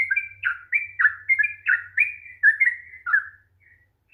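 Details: A sooty-headed bulbul's long 'ropel' song, meant to stimulate a reluctant singer: a quick chain of warbled two-tone whistles that trails off into silence, with a faint low hum underneath.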